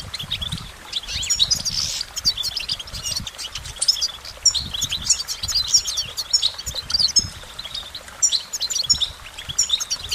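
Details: Goldfinch singing a busy, tinkling twitter of high notes and buzzy rattles in repeated phrases, with soft low thuds in the background.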